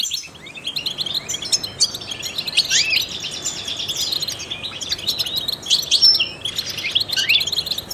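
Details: Goldfinch, trained to stimulate other songbirds, singing a lively, unbroken stream of twittering chirps and buzzy trills at high pitch, steady in loudness throughout.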